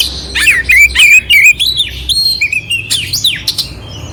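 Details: Oriental magpie-robin singing a clear, coarse-filled song meant to stir up a sluggish bird: varied whistled notes rising and falling, mixed with harsh scratchy bursts and rapid chirps.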